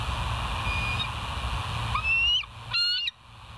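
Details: Bald eagles at West End, picked up by a live nature cam on 21 September 2023 at 06:55: a thin rising whistle, then a quick stuttering burst of high piping notes over a steady low hum.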